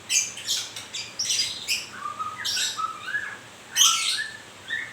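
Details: During moult a white-rumped shama sings fast scratchy bursts, then clear level whistled notes at a lower pitch, finishing with a loud harsh burst and a final rising whistle.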